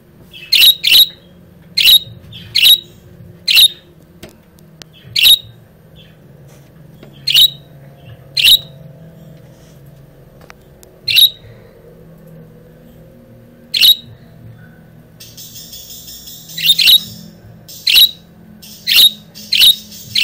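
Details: A female budgerigar chirps back at her own voice and another budgie clip played through speakers, and a second budgie chimes in; sharp, high chirps in irregular bursts, some doubled, over a faint indoor hum.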